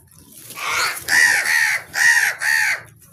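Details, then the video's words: Crow calling four loud, harsh caws in quick succession, each roughly half a second long with a nasal, rasping tone, over faint low hum. "Crow Sounds"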